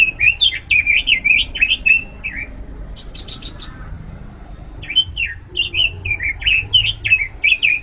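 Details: Oriental magpie-robin in loud, varied song: quick sequences of slurred whistles, then a brief series of sharp, high clicking notes, a short pause, and another rapid run of dipping and rising whistles.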